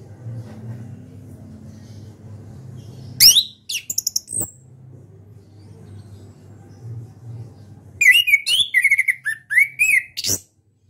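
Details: Caged orange-headed thrush, a national champion contest bird, singing after a long quiet stretch of low hum: a brief burst of sharp high notes, then a rapid run of whistled, chattering phrases repeated several times.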